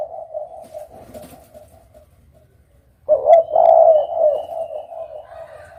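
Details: Soft, even cooing from a Spotted dove fades nearly to silence, then a loud husky phrase bursts in after three seconds and trails into a long, gently wavering coo.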